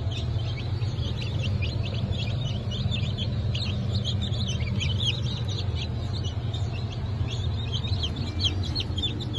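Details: Many newly hatched Brahma, Sussex and Maran chicks from 1 April 2024 give a busy stream of short, thin high peeps over a constant low hum.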